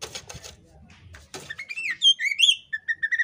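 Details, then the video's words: Breeding-condition female Oriental magpie-robin (kacer poci), calling with tail fanned. Scratchy rustling first, then bright whistled notes, some rising, followed by a rapid string of short repeated chips. "kacer poci betina birahi ngobra buka ekor AMPUH bikin jantan langsung ikut ngobraaa"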